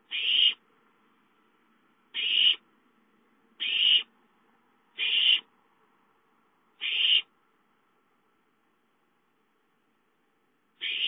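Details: Food-begging owlets at home on 5-9-13 produce six harsh, hissing screeches, the first five fairly close together, then a pause of nearly four seconds before the last.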